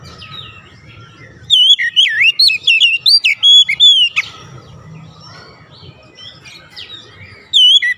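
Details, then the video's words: Oriental magpie-robin singing to lure other magpie-robins into song: a loud burst of varied whistled slurs and chips, a quieter softer passage, then another loud whistled phrase begins. "APAPUN JENIS KACER PASTI TERPANCING LANGSUNG IKUT GACOR"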